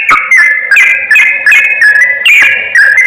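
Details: Yellow-vented bulbul lure call used to bring wild birds close: bright whistled notes with sharp chirping onsets, delivered in short bubbly bursts about three times a second.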